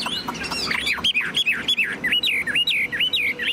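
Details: Caged, tame Chinese hwamei singing confidently as its cage is carried: a burst of mixed notes, then a steady series of clear, looping whistled phrases, each dipping and rising again, about two per second.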